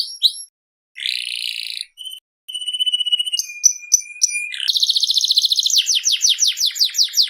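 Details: Canary song, said to be gacor, broken by short silences: buzzy notes and thin whistles, then a dense trill leading into a regular series of sharp downswept chirps.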